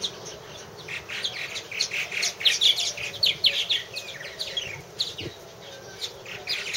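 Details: Purple martins at one of three nest houses, 2014: dense overlapping chirps and gurgling, scratchy notes from several birds, coming in bursts and peaking midway before tapering off.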